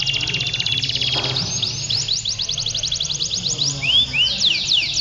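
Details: Contest canaries, males, singing nonstop (ngedur) at a February 2016 event in Pondok Cabe, Indonesia: a fast buzzy trill, then a run of sharp sweeping notes and looping upward whistles, with background music and voices.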